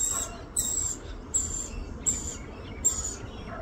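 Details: Rainbow lorikeet feeding her baby: thin, very high, scratchy squeals, each about half a second long, repeated roughly every three-quarters of a second over a low background hum.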